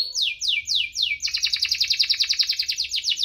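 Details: Chirping and rolling canary song meant to trigger singing in lazy canaries: a few sweeping descending whistles followed by a quick, steady buzzy roll of rapid pulses.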